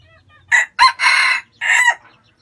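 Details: Red junglefowl from Vietnam crowing: a short, loud, four-part crow. A brief harsh note is followed by a second short burst, then a longer drawn-out middle syllable and a clipped final note, over a quiet background.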